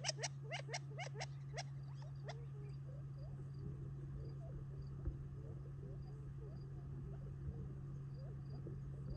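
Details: Gambel's quail flock feeding in July 2021 near Tularosa Creek on family property, eating before retreating for the night; a quick burst of sharp clicky chips opens, then soft scattered twittering notes over a steady low hum.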